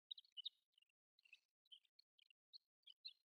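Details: Desert wheatear, a migrant or winter visitor in Sakae, Chiba, Japan, giving a quiet, rambling subsong of short scratchy chirps and thin high notes, irregularly spaced, with little else in the background.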